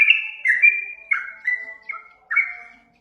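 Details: Short burst of yellow-vented bulbul lure song: a few clear, slurred whistled notes, separated by brief gaps, fading away at the end.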